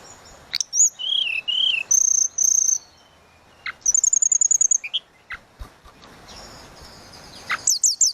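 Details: Tledekan laut flowerpecker pouring out a 'suling' style song: a wavering lower whistle repeated twice, long high steady notes, a fast rattling trill of ringing pips, scattered chips, and a closing series of sharp high notes.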